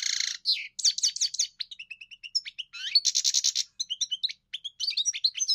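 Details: European goldfinch song opening with a harsh buzz, then tinkling repeated notes, a rattling wheezy burst midway and more bright twitters, clean recording.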